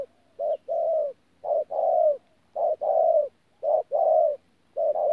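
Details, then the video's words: Spotted dove (bổi thổ), Tu Mơ Rông, 14 January 2019: deep soft coos in pairs, a short lead note and a drawn-out downward-bending second note, repeated about every second and a quarter, with a faint steady hum. "BỔI THỔ PHA GÙ QUÁ TỐT"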